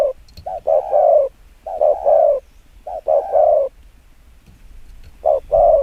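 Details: Decoy spotted dove gives rapid luring coos: a quick double note then a longer mellow coo, four phrases with a pause before the last, a few faint clicks.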